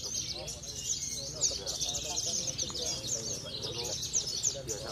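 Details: Javan bush lark, a contest songbird that regularly wins trophies in Cilacap, singing a continuous high, scratchy stream of quick twitters and trills, with lower chirps and background chatter.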